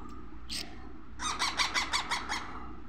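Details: Young parrot producing a short isolated squawk, then a rapid series of about seven harsh, grating squawks in steady rhythm against a low background hum.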